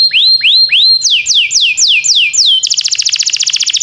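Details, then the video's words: Canary training song, timbrado: three upward-curving whistles, a row of quick falling slurs, then a fast pulsing buzzy trill. "Cantar canário faz seu canário cantar"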